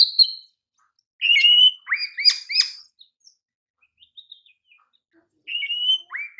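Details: Sparse phrases from a champion Oriental magpie-robin used as a training master: a whistled note, then sharp upward-sweeping chips repeated three times. After soft scattered ticks comes another whistle and a rising chip.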